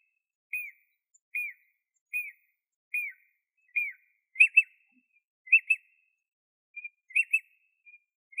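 A Jacobin cuckoo gives five clear, down-slurred whistles about every second, then switches to quicker doubled notes. No other sounds intrude.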